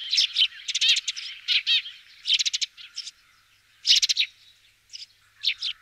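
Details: Eurasian tree sparrow (Passer montanus) in France giving dry, chirpy calls in quick bursts of three to five notes, with short pauses between bursts.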